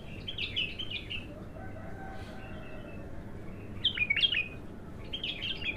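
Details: Untrained bulbul (abtar) singing on its first outing: bursts of bright, warbled, slurred phrases that rise and fall, with a pause midway and a quick chattering phrase near the end, over a low background hum.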